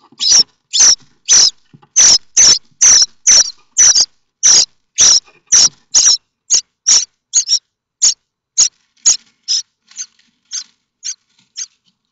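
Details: Rasping begging from common starling nestlings in their nest at Théding, France, 7 May 2024, hoping a parent brings food. Over twenty scratchy bursts about twice a second, loud at first, then thinning and fading toward the end.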